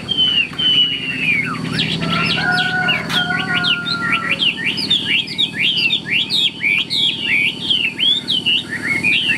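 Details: A captive Chinese hwamei from Vietnam, sung in "ngũ trường" style and kept for fighting with wing display, gives long strings of loud, clear whistles, each note sweeping sharply up or down, alongside some lower, steadier tones and a constant low hum.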